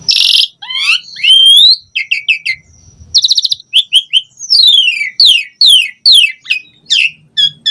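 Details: Varied, full-voiced song of an Asian pied starling used as a lure recording, packed with filler phrases: a harsh buzz opening, rising whistled slurs, rapid rattles, then a run of steeply falling whistles.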